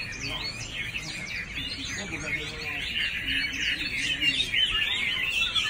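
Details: Chinese hwamei delivering a rich warbling song of rapid whistles and slurred notes, growing louder toward the end, with faint lower sounds in the background.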